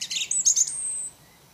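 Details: Wild orange-banded thrush giving a brief burst of isian song: scratchy chatter that runs into a thin, very high sustained whistle lasting about half a second, then fading to quiet.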